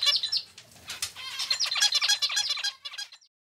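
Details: Indoor pet male zebra finch delivers a fast, chattering song of buzzy, nasal, tightly stacked syllables, several per second. The song fades into silence after about three seconds.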